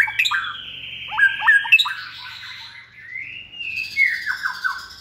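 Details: Hand-raised White-rumped shama in a cage, second season, kept for singing competitions. A long steady whistle runs under quick clicking notes, then a rising whistle and a falling burst of rapid phrases.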